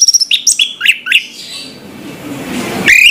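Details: Orange-headed thrush singing in the morning, a quick run of clear whistled and slurred notes, some high and some dipping, then a bright rising phrase after a short pause.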